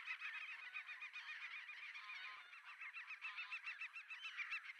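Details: Black-tailed godwits calling during mating at Poelgeest, the Netherlands, on 29 March 2024: a dense run of nasal, yelping notes, several birds overlapping at about three or four calls a second.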